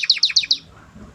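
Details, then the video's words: Canary giving four quick, bright sweeping notes in rapid succession, then silence. "Κελαηδημα καναρινιου canary singing"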